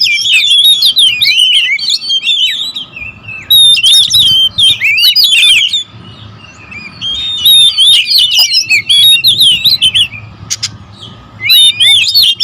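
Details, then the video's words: Territorial oriental magpie-robins singing excitedly as a group: loud bursts of varied whistles, chirps and trills come in waves of a few seconds, separated by quieter gaps, about three notes a second. "KACER RIBUT"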